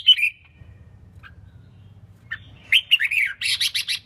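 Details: Female red-whiskered bulbul singing to stimulate males: an opening chirp, a pause, then a lively string of varied chirps ending in rapid repeated high notes.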